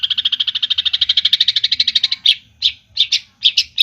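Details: Javan long-tailed shrike in full 'gacor' song with clear 'isian' fill-ins: a fast run of about thirty even chirps at a steady high pitch, then a few separated, louder sharp notes.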